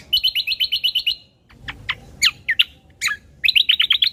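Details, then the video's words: Ruby-throated bulbul song, recorded as a lure and tutor track for training birds: a quick run of about eight sharp, chirping notes, then a few scattered varied chirps, then another fast chirped run at the end. "Suara Asli Burung Cucak Kombo"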